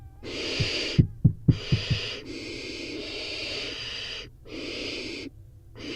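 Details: Barn owl nestlings, four chicks in a nest box, in a competitive feeding frenzy as one grabs dropped prey; long rasping hiss bursts alternate with a run of sharp knocking thumps from the scramble.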